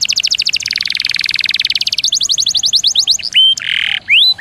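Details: Canary training song with long rolls and bursts: a rapid, rattling trill of repeated notes that speeds into sweeping slurred phrases, then a short buzzy note and rising whistles.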